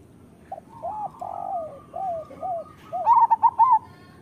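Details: Zebra dove of a local strain used to prompt quiet doves to sing: a run of soft, drawn-out coos, then one loud burst of four or five quick, bubbling notes at the end.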